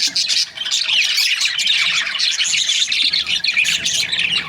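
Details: Several budgerigars from breeding pairs calling at once, busy scratchy chirps and short rising squeaks filling the whole stretch.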